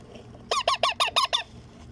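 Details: Baby Indian ringneck parakeet during feeding: six harsh, buzzy squawks, each short and nasal, delivered in a steady rapid rhythm with quiet before and after.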